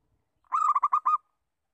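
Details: Lure call of a local zebra dove: one brief rolling phrase of about six quick, mellow cooing notes held at one level pitch, followed by silence.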